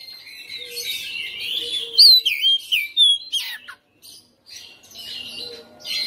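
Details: House-kept Oriental magpie-robin in persistent fighter-style singing. A loud burst of sweet, sharply slurred whistles comes first, then rough scratchy notes, a brief pause, and more chattering phrases.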